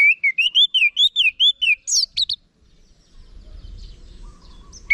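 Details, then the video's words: Orange-headed thrush song for tutoring caged birds: about a dozen rapid wavering whistled notes in a steady rolling series, two sharp high slurred notes, then near silence with faint low background noise. "Guru Vokal ANIS MERAH Agar Selalu Ikut Nyaut Ngeplong di Rumah"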